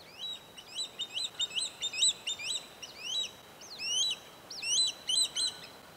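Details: Swallow-tailed kites in wetland forest, Jonathan Dickinson State Park, Florida, April 7; a male bringing a treefrog to a perched presumed female called while displaying it. Thin, high whistled notes in chittering bursts of three to five over faint hiss.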